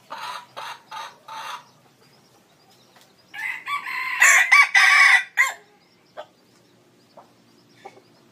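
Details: Red junglefowl decoy rooster, used to lure wild junglefowl and described as big with a long, good crow: four short, hoarse clucking notes, then a loud multi-part crow that cuts off abruptly, followed by faint clicks.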